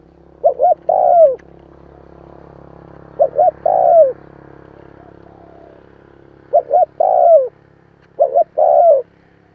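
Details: Repeated spotted dove call meant to stimulate fresh-caught birds, four phrases at irregular gaps of two to three seconds, each two short coos and a long descending note, with low rumbling background.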